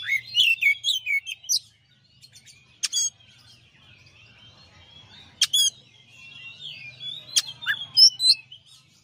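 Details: Champion Oriental magpie-robin giving master song. A burst of bright whistled notes gives way to long quiet stretches of soft twitter, punctuated by a few sharp high ticks, with more whistles returning near the end.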